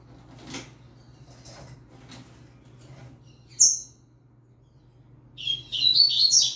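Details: A novice yellow-bellied seedeater singing with a green-winged saltator. Faint clicks come first, then a sharp high whistle, and finally a rapid burst of high, twittering, buzzy notes that runs to the end.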